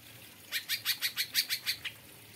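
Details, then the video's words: Aviary Greater Green Leafbird (cucak ijo) in kapas tembak song: a short burst of eight loud, raspy, scratchy notes in quick even succession. "Cucak Ijo Kapas Tembak Losss Dorr"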